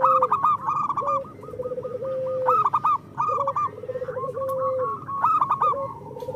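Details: Local zebra doves, several birds singing together, used to prompt lazy caged doves to sing: rapid staccato cooing rolls overlap with longer level coos and short rising notes, in bursts every couple of seconds.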